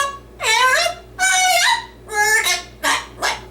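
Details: Male yellow-naped amazon parrot kept as a pet, singing with his own twist during his usual indoor skit: five drawn-out nasal, harmonic-rich syllables, the first three long and wavering, the last two shorter, in a quiet room.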